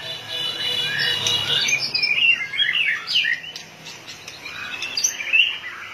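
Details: Fired-up white-rumped shama with rapid tail-flicking gives harsher, scratchy chattering phrases mixed with short whistles, rather noisy and blurred, a few clear upslurred notes near the end.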